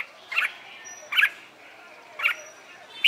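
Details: Red-whiskered bulbul in the morning, training song for singing contests: short bright chirped notes, three spaced about a second apart, then a fourth begins.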